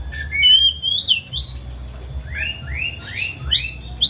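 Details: Caged house Oriental magpie-robin, excited with its tail open, singing to coax a quiet bird: a long level whistle, then a series of rising upslurred notes repeated about twice a second, with a low background hum.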